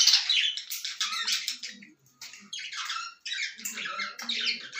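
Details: Lovebirds giving harsh, shrill squawking bursts in short rasping phrases, separated by brief pauses near two and three seconds, with faint low murmuring underneath.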